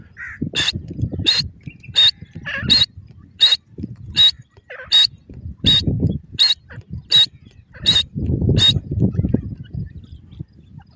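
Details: Grey francolin (white teetar), male and female: sharp, ringing, evenly spaced call notes repeated steadily, roughly one every 0.7 seconds, over a low rumbling background.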